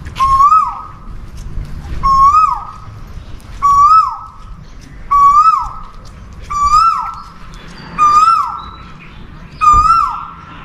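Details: Continuous mating call of an Asian koel: seven loud whistled notes, each climbing then dipping, repeat steadily every 1.5 seconds or so over quiet low background noise.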